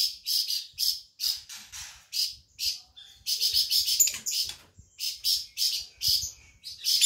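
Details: Insect-eating flamboyan bird from Sumatra in lively song, loud high chattering bursts delivered roughly every half second, some runs of rapid tweets close together, faint low knocks in the background.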